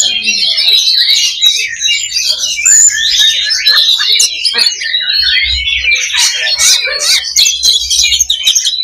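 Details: Simulated 'loba' fighting song of the kacer (Oriental magpie-robin) for training combative spirit: a nonstop stream of sharp chips, buzzy rattles and whistles, dense and energetic, with faint low thumps in the background.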